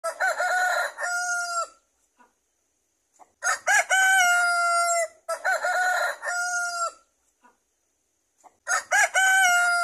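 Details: Vietnamese Nòi, Tre and crossbred chickens ranging free in a wide garden yard by day; a rooster crows loudly and repeatedly, each rasping, stepped crow lasting under two seconds with short gaps between.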